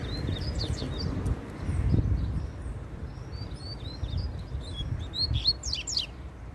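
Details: Double-collared seedeater singing in the wild, described as very spirited and countersinging with another bird: short whistled, upslurred notes strung together, ending in sharp steep downstrokes. Steady background rumble.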